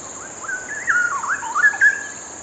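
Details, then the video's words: A comfortable perched pair of Straw-headed Bulbuls, one pausing its preening to join in, sing a short, repeated, rhythmic duet to each other, a rich, bubbling run of liquid warbled notes, with a steady high whine of insects behind. "Straw-headed Bulbul duet"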